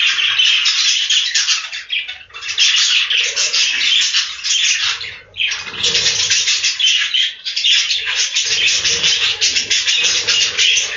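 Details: A dense chorus of budgerigars fills a farm breeding room with continuous high squawking and chirping, easing off twice for a moment before resuming just as loud.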